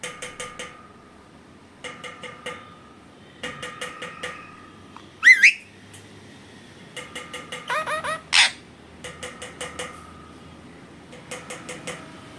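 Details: Parrot calling beside its owner: short bursts of rapid clicking repeated every second or so, a sharp rising whistled sweep midway, then a loud harsh squawk, with more clicking bursts toward the end.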